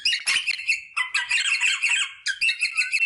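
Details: Rosella giving mating-stimulation sounds: continuous rough, scratchy chattering in three dense bursts, loud and close.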